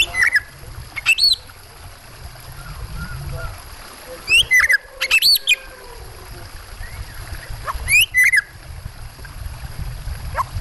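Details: White-rumped shama with water sounds: scattered sharp, quickly rising and falling whistled notes come in short bursts a few seconds apart over a steady low watery rumble.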